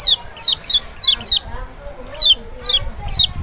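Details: Lemon-bellied white-eye (kecial from Lombok or Sumbawa), a sound meant to draw a reply from a bird that will not sing: rapid series of bright, steeply falling notes, often doubled, about eight bursts in three seconds.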